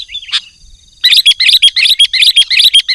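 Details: Sooty-headed bulbul used as a lure for wild bulbuls: after a near-silent second with one faint note, a fast, even series of bright chirps begins, repeated several times a second.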